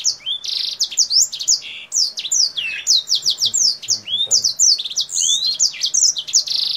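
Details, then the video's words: Kingthroat in full song, alternating high and low notes as it opens its wings, sounding like a Blackthroat: fast sequences of rising and falling whistles, short buzzy trills and sharp chirps, pouring out continuously. "KINGTHROAT GACOR Atas Bawah BUKA SAYAP || Mirip Suara BlackThroat"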